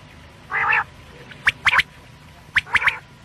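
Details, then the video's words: Morning quail calls for luring: one rasping burst followed by two sets of short, sharp notes, one note and then a quick pair, with a faint steady hum underneath. "Batair sound Subha k Liye"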